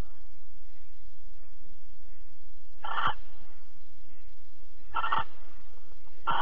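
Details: Barn owl recorded in Alphen on an April 2020 evening during mating and cuddling: three short, sharp hissing bursts, roughly two seconds apart, over a low steady hum.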